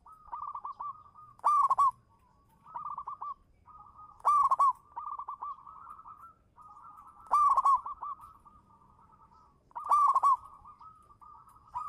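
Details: Zebra dove of local stock used as a lure, singing steady phrases of quick trilled coos that build into a loud, rich climax note, four phrases spaced roughly three seconds apart.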